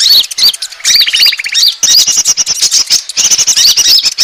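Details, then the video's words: Lure call of the Asian glossy starling, meant to draw in birds: rapid, shrill chirping and upslurred squeaks with one short, lower, buzzy rattle near the start. "suara pikat burung konin ampuh"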